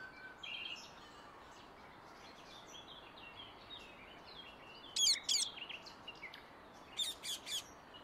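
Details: Wild Indian ringneck parakeet in natural surroundings: faint chirping and twittering for several seconds, then two pairs of sharp, harsh screeches, the second pair a few seconds after the first.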